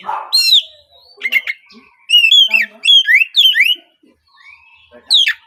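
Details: Oriental magpie-robin song, played as a prompt to get young speckled, untrained magpie-robins singing quickly in the morning. A low note opens, then loud clear whistled phrases swoop up and down, with scratchy, chattering notes between them.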